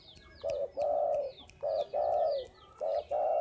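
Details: Spotted dove calling energetically: soft, hollow coos in pairs, a brief lead note followed by a drawn-out swelling one, three pairs in quick succession, with faint high twittering of other birds in the background.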